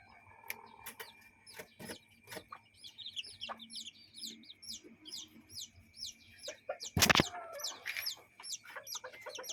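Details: Chickens and chicks in a backyard and coop. Steady high peeping from chicks with occasional soft clucks, a loud broadband rustle or knock near the seventh second, and a faint constant whine.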